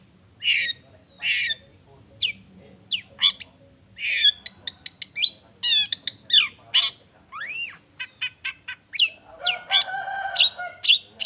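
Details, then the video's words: Energetic Long-tailed shrike song to provoke other shrikes into answering: harsh squawks, rapid ticking notes, rising and falling slurred whistles and a final scratchy, noisy outburst. "Cendet Gacor Efektif Pagi Siang Sore Rajanya Bikin Cendet Lainya Spontan Nyaut Bunyi Penuh Emosi"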